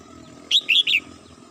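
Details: Red-whiskered bulbul kept as a household bird singing in the morning: a brisk phrase of three clear, slurred, whistled notes, the middle one dipping, against a quiet background.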